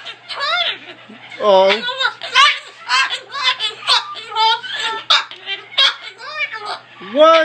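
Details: An unhappy, apparently angry cockatoo lets out a run of harsh, wavering squawks and speech-like, laughing chatter, in short bursts about every half second, in a small room.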